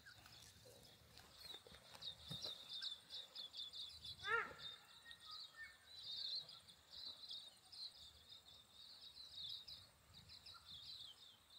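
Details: Silvereyes in a crabapple tree in New Zealand on a cloudless, sunny winter solstice day after a hard overnight frost keep up a steady, high, thin twittering chatter; another bird's brief lower series of descending notes cuts in once.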